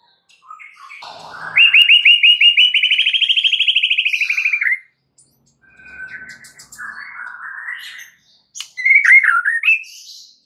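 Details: White-rumped shama lure song intended to get other shamas singing: a sustained buzzy trill of rapidly repeated high notes lasting about three seconds, followed by softer chattering and a slurred whistled phrase.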